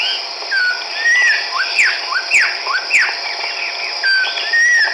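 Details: Chestnut-backed laughingthrush in Hukaung Valley, Kachin State, Myanmar, recorded March 17, 2010: loud whistled notes that drop in pitch, given in quick irregular runs, with a constant high insect buzz behind.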